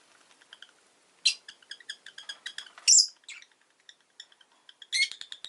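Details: A rosy-faced lovebird chatters in quick, high ticking notes, broken by a loud rasping squawk at about three seconds and another harsh burst near five seconds.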